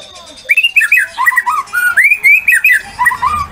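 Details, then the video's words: Loud song of a White-rumped shama, meant to make other shamas answer. After a brief quiet start comes a fast stream of fluty whistled notes, looping up and down, with choppy chattered bits mixed in. "murai batu gacor ngeplong AMPUH buat pancingan murai batu agar bunyi"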